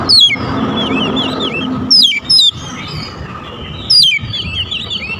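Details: Kacer, or oriental magpie-robin, lure song used to draw in birds: sharp downward-sweeping whistles at the start, around two seconds and near four seconds, each followed by softer warbled notes, with faint background hum.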